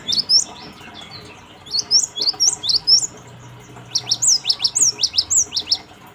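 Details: Lure song of a cinereous tit: bright, piercing chirps in two lively series, the second faster with about ten crisp notes in quick succession, over a quiet background.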